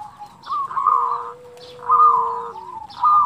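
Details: Kerot and bekur putar cooing of a local zebra dove used to teach and provoke other doves: rolling purred coo phrases about every second, separated by a long low steady whistle.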